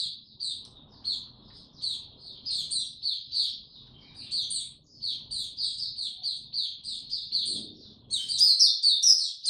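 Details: Caged white-eye in very humid, warm conditions singing a long high-pitched twitter, roughly two notes per second in loose clusters, ending in a louder, more complex burst of squeaky trills.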